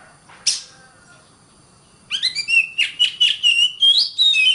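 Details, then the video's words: Oriental magpie-robin song from a long tutor recording used to train competition songbirds: a lone high note, a pause, then a quick run of bright whistled and chattering phrases. "Ocehan Suara Burung Kacer"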